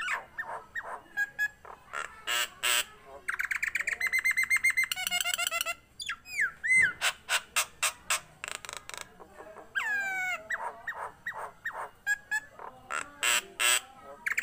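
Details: A lively, tame Nias hill myna delivers a long varied performance. Rapid trilled rattles, looping whistles that drop in pitch, harsh squawks and short ringing notes follow one another almost without pause.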